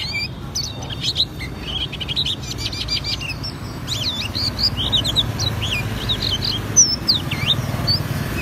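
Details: Vigorous ngriwik singing from an Auri Oriental white-eye showing its fill-in repertoire: quick trilled runs, high chirps and swooping whistled notes, fairly steady throughout, against a soft low background hum.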